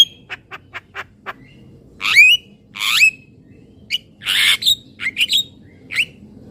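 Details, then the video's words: Javan myna giving a few soft clicks, then loud rasping squawks and buzzy screeches interspersed with short whistles, spaced by brief silences. "Suara Jalak Kebo"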